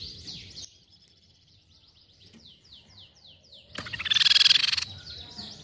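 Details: Silver-cheeked babbler call used as a lure for birds: a row of quick, high downslurred whistled notes repeated about three per second, then a loud, harsh buzzy burst near the end.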